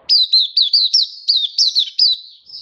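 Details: Oriental white-eye happy song, 24 February 2023: about eight crisp, high, downslurred chirps delivered in quick succession, clear and loud.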